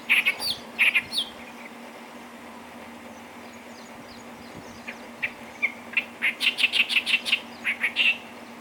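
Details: Clamorous reed warbler, Bhigwan, December 2023: a few sharp, squeaky notes open the recording. After a quiet pause, a fast run of bright, repeated chirps and churrs follows, over a steady background hum.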